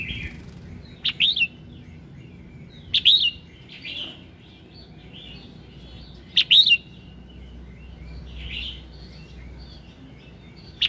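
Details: Red-whiskered bulbul singing in the morning, a recording meant to spur other bulbuls into song: clear, slurred whistled phrases repeated every two to three seconds, with quieter notes between.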